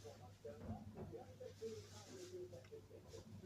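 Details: A Eurasian hoopoe in a back garden on 21 December 2024, possibly an escapee, gives soft, hollow, low 'oop-oop' notes repeated in short series, over a steady low hum and faint background noise.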